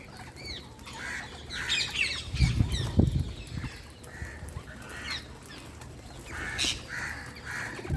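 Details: Wild Indian parrot giving harsh, squeaky chirps in quick irregular bursts, some rising, with low thumps and rustling in the background.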